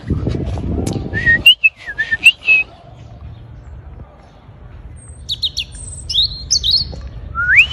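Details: European robin singing in El Retiro park in early April: sparse, thin, high whistled notes and quick rising and falling slurs, with a brighter high trill in the second half and low rumbling noise at the start.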